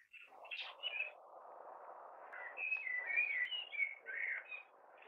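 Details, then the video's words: Male common blackbird singing from a tree in a neighbour's garden, some distance away, on a May evening; a run of clear, fluted warbled phrases over a steady low background rumble. "Blackbird in May"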